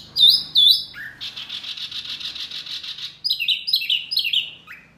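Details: Small Wambi bird, described as very noisy and as agitating other birds, sings: two loud downslurred whistles, a low note, then a buzzy rapid trill of about two seconds, followed by a tumbling series of descending slurred notes.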